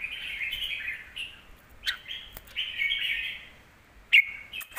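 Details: Red-whiskered bulbul, deep-voiced song for teaching young birds: flowing warbled phrases broken by a few sharp clicks, a longer steady phrase, then a sudden bright accented note near the end.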